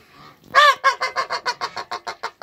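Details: Backyard Toulouse goose, a mother with goslings on their first day of life. One loud, drawn honk bursts out, then a quick run of about ten shorter, fading honks.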